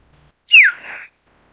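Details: One short, loud call from a common hill myna (Gracula religiosa): a clear whistle dropping sharply in pitch, then a brief rough, buzzy tail, with near silence around it.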